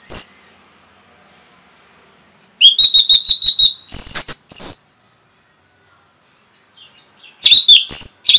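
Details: Orange-headed thrush in rapid song used to excite other birds: one high note, a two-second gap, then a fast trill of clipped notes running into loud, piercing mixed whistles, silence, and another bright, tumbling phrase.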